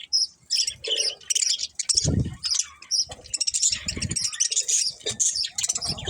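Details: Budgerigars chirp in quick high twitters and buzzy warbles, broken by a few low thumping or rustling bursts around two and four seconds.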